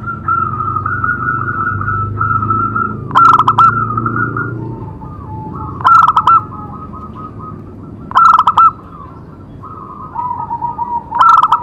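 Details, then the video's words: Zebra dove singing, meant to set other doves calling: four bursts of quick, staccato cooing notes spaced roughly every two to three seconds, linked by sustained mid-pitched tones and soft low rumbling. "Cocok untuk terapi semua jenis perkutut pasti nyamber"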